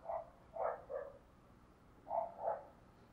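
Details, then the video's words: Cooing decoy spotted dove calling to attract wild doves: two clusters of short, low, rounded coo notes separated by a brief pause, over faint background hiss. "Chim Cu Mồi Thúc Gáy Gọi Tốc Độ"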